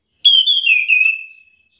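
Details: An orange-headed thrush gives one clear, high whistled note that slides gently downward and fades over about a second, with no other sounds; the call is used to provoke other orange-headed thrushes into answering.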